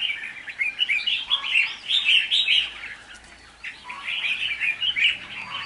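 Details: A decoy red-whiskered bulbul, recorded in Hoa Binh, Vietnam, on 19 February 2023, sings bright, chattering phrases of quick warbled notes, lively and bubbling, in two bursts separated by a brief lull.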